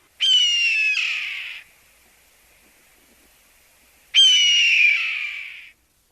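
Red-tailed Hawk giving two hoarse, drawn-out screams, each about a second and a half, slurring slightly downward, with a long quiet gap between.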